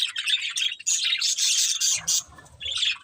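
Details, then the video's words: Breeding pair of budgerigars chirping: dense, fast warbling twitter and scratchy chirps running almost continuously, with a brief low rumble near the end. "Cute Budgies Chirping Sounds"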